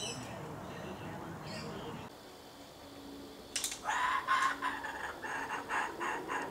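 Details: Laughing kookaburra from a local breeding pair with chicks, fed at a spot beside bushland: after a quiet, rustling start, loud harsh chortling notes burst out in quick uneven pulses, several times a second.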